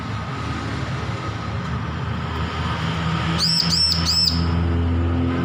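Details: Young bar-winged prinia, just weaned from hand-feeding, learning to sing: three quick arched, whistled chirps near the end, each rising then falling, after a stretch of low rumbling background noise.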